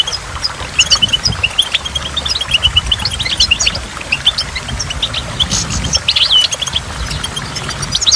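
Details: Goldfinch singing beside a waterfall: bursts of high, quick chirps and twittering notes, sometimes dense and sometimes sparse, over a steady low rush of falling water and dripping drops.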